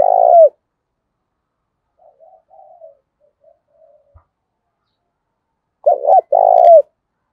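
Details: Decoy spotted dove cooing to rouse other doves; the end of one mellow coo, a stretch of faint low murmurs and a click, then a full phrase of a brief double note and a long falling coo.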